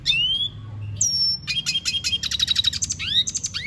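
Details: Venezuelan goldfinch singing: a rising whistle and a thin sustained note, followed by a rapid chattering trill and closing upswept whistles.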